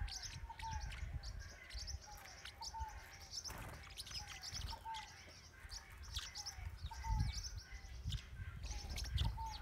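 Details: Blue-winged parrotlets in northern Bahia, Brazil, giving rapid, thin, high chirps in quick bursts over steady low rumbling background noise, with short clear whistled notes from another bird repeating at intervals.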